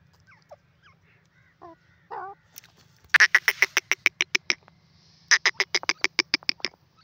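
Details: Grey francolin, known locally as teetar, calling while roaming free. A few faint soft notes come first, then two loud series of harsh, clipped notes repeated about four times a second over a low steady hum.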